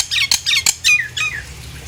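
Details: Nias hill myna calling, a sound played to get other hill mynas singing: a few sharp, harsh squawks followed by two clear downslurred whistles, brief and loud.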